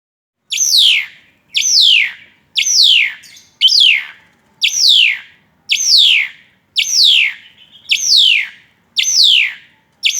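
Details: Asian pied starling singing hard while tripping: a loud sharp note that sweeps downward from high to mid pitch, repeated about once a second with steady rhythm, ten times, on a quiet background.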